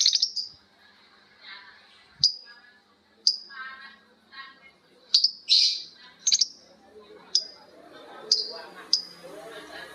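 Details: Lovebirds calling in turn as part of a long ngekek exchange, giving sharp high down-slurred shrieks roughly once a second, some doubled, over a soft background murmur.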